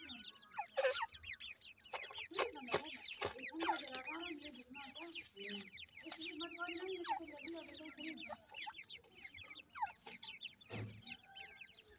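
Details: Teetar (francolin) new chicks: dense, high, upward-sweeping peeps repeated continuously, with lower clucking notes from an adult and human voices mixed through the middle.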